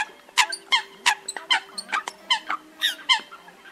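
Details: Eurasian coot calls played to lure migrating birds into night nets during August: clipped, nasal, harmonic notes about one every half second, evenly spaced with short gaps.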